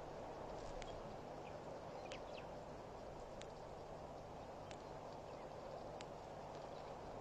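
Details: Blacksmith plover at a waterhole, Pete's Pond, Mashatu Game Reserve, Botswana, about 2:04 PM, 20 October 2012; a handful of crisp tink-like clicks spaced a second or so apart, with faint softer chirps amid constant hiss.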